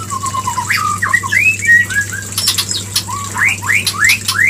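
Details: White-rumped shama, used as a lure to trigger mating: a run of low descending notes, then a short warble and a series of sharp rising whistled upslurs, with clicking noise in the middle.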